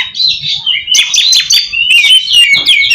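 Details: Lure song of an oriental magpie-robin, used to provoke replies from other magpie-robins: continuous energetic warbling of high, scratchy chirps and fast whistled notes in two dense bursts, with a faint low rumble beneath.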